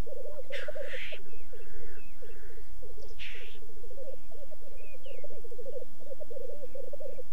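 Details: Black grouse displaying at a lek in the Alps, France, for courtship: steady low bubbling rookoo of rapid pulsed notes throughout, with two explosive hissing sneezes early on and faint higher chirps.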